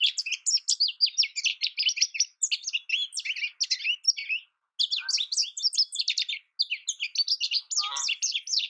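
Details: American goldfinch song: a long, rapid, rambling run of high twittering and warbling notes, broken by two short pauses, with a couple of brief lower chips late on. Clean recording, no other sounds.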